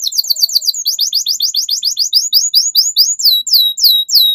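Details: Canary singing a long gacor song, used as a tutor recording for young birds: quick repeated downslurred chips, first in a dense rapid run, then slowing into spaced, sweeping whistled notes about four per second.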